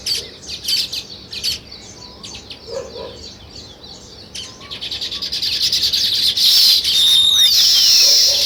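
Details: Nest-building weaver birds: scattered sharp chirps at first, building into a loud, continuous buzzy chatter with long descending whistled slurs toward the end.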